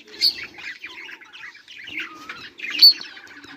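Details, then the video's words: Soft budgie chatter from 18 July 2023, with gentle warbling, a falling whistled note, and two brief sharp chirps standing out. "budgies beautiful sounds and chiriping"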